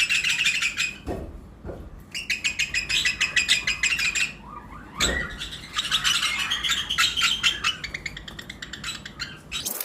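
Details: Many lovebirds, pairs of mixed mutations in a flight-cage colony during breeding season, chatter together in shrill, rapid, unbroken overlapping chirps, several per second, with a few soft knocks.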